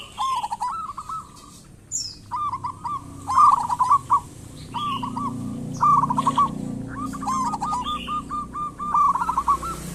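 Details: Local zebra dove lure song meant to make doves call quickly: continuous overlapping cooing phrases of rapid stuttered notes from near and farther birds, with a few thin high chirps and a low background rumble.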